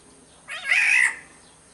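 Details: Black-naped oriole from Sumbawa giving a single harsh, nasal, cat-like call of about half a second, broad and grating, rising into a loud buzzy middle before fading, against quiet background hiss.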